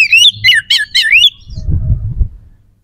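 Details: Oriental magpie-robin in song aimed at stirring rivals' aggression and breeding urge: a quick warbled run of looping, rising-and-falling whistles lasting just over a second, followed by low rumbling background noise.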